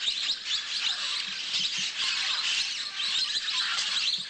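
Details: A flock of Orange-cheeked parrots (Pyrilia barrabandi) assembling above a clay lick in the early morning in Manu, Peru, keeps up a dense, harsh chatter of overlapping high, scratchy calls and squeaks with no pause.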